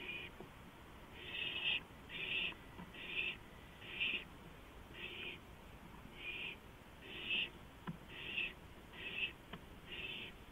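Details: Owl calling from a porch at night, 2:05 AM, 5 April 2015: a series of about ten rasping, breathy screeches, each under half a second, repeated roughly once a second at an uneven pace.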